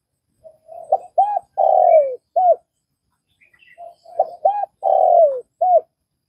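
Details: Vietnamese spotted dove cooing in two matching phrases, each with short rising-falling hoots, a long coo that slides downward and a closing arched hoot, separated by a brief silence.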